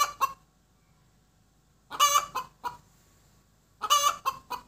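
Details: Egg-laying hen giving her cackle: sharp clucks and loud drawn squawks in three groups about two seconds apart, separated by quiet gaps.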